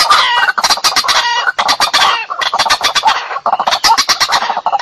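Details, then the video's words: Provocative fight-inviting call of a white-breasted waterhen, played as a traditional trapping lure: an unbroken stream of loud, coarse, stuttering croaks in quick rhythmic pulses, with brief dips between phrases. "Suara panggil ruak_ruak ngajak berantem"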